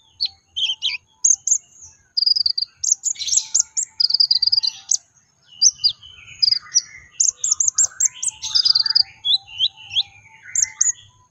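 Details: Brown-throated sunbird singing 'tembakan' bursts, used to trigger song in untrained birds: clusters of shrill chirps and brief trills, some notes sliding downward, delivered in quick uneven groups with short gaps.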